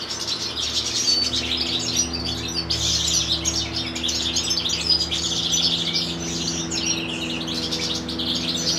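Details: Chaffinch chick being fed by its parent gives a nonstop twittering of high, thin chirps, dense and unbroken, over a faint low drone.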